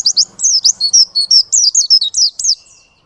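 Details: Oriental white-eye, Ngalas variety, in nonstop ngerol song: about a dozen high, rapid, looping chirps delivered in one unbroken run lasting most of three seconds.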